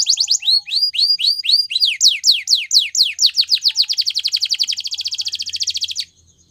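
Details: Gloster canary training song: a long accelerating series of swept whistled notes, speeding up into a rapid dense trill that ends abruptly after about six seconds.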